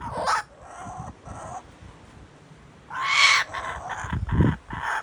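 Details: Australian kookaburra giving coarse, noisy cackles in short bursts, a pause, then a louder surge of repeated harsh chuckling notes with low thumping noise beneath.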